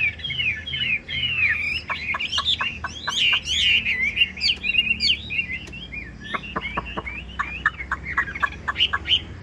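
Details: Caged Chinese hwamei with a long, slim body, glossy plumage and fig-leaf tail, singing a lively run of loud whistled phrases. Slurred rising and falling notes mix with sharp clicks and quick repeated notes. A faint low hum sits underneath.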